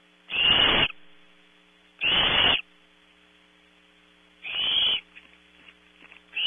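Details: Young barn owls at Audubon Starr Ranch, California, vie for prey brought at 03:00. Three harsh, hissing screeches with a thin whistled edge, spaced one and a half to two seconds apart, then soft scraping and quiet hum.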